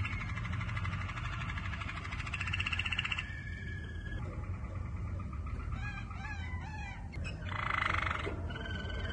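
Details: Waterslager canary, a yellow bird, in song: rapid warbling trills shift pitch, broken by quick chirping slurs and a brief loud burst near the end, all over continuous low background hum.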